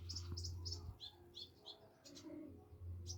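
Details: Olive-backed sunbird, a young bird practising its song and still shy: short high chirps and twittering notes in quick runs, pausing midway, over a steady low hum.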